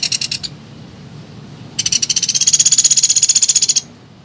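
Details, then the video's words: Woodpecker lure call used for trapping birds, known locally as pelatuk beras or pelatuk sampit: a brief high rattle, a pause, then a fast rapid-fire series of high sharp notes about a dozen per second, rising slightly, lasting two seconds. "Suara Pikat Burung Pelatuk Beras, Suara Pikat Pelatuk Sampit Paling Ampuh"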